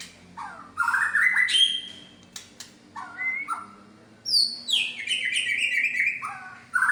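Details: Medan-type white-rumped shama showing off its imitated repertoire: varied phrases of rising and falling whistles, slurred notes and trills, separated by short pauses and sharp clicking sounds.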